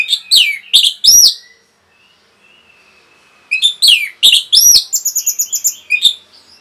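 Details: Fast, agitating song of an orange-headed thrush: three piercing downslurred whistles, a soft thin warble, then a dense burst of loud notes and a rapid chattering trill.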